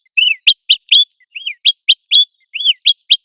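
An American golden plover gives high, clear whistles: a slurred, arching note and then three sharp, quick notes, a phrase repeated three times about once a second. No other sounds.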